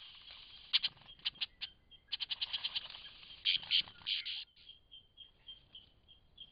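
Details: In Cape Liptrap Coastal Park a lyrebird delivers rapid high stuttering notes that swell into a dense rattling burst, then trails off into a series of soft, steady whistled pips over faint background rumble.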